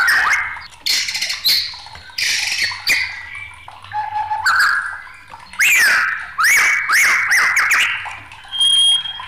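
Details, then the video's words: Agitated white-rumped shama giving spaced, loud phrases of squawky notes, then a run of quick upslurred whistles, and ending on a thin, steady high whistle. "SUARA MURAI BATU NG4MUKK"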